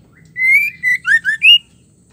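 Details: Female white-rumped shama, a caged bird, whistles to rile male birds: one smooth rising whistle then four short, pure slurred notes, the last climbing highest, over faint low hum.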